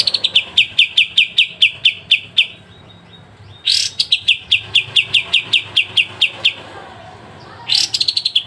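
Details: Pied triller singing a sharp, clear trill: long runs of rapid, evenly spaced high notes, broken by a short pause and a loud upswept note, then the series resumes.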